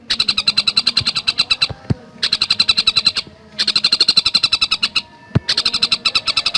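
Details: Javan cuckooshrike in fast, dense song: three long runs of rapid, evenly spaced high chirps broken by brief silences, with a faint low click between phrases.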